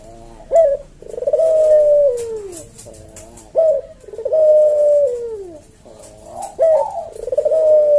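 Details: Barbary dove, puter jawa, kept as a cage bird, cooing steadily about every three seconds in its slow senggang manner: a clipped upbeat, then a long vibrating coo that falls off. Used for tutoring and luring.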